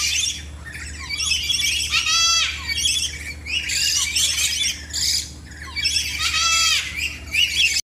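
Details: A collection of captive lories gives harsh, grating screeches and sharp chattering squawks, with several birds calling at once in a dense, noisy chorus.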